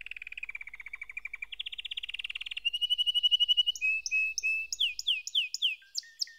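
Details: Soft low canary roll swelling into a louder buzzing trill, then a rising rattle and a series of spaced, downward-swept whistled notes.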